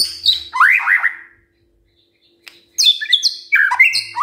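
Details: Song of a white-rumped shama used in the morning to provoke silent birds to sing: high clear notes and a rapid falling trill, a pause of about a second, then rising high whistles and chirps.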